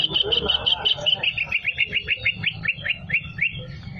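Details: Singing greater green leafbird with canary-like fill: steady bright notes give way to a rhythmic series of quick slurred descending whistles, over a low murmur in the background.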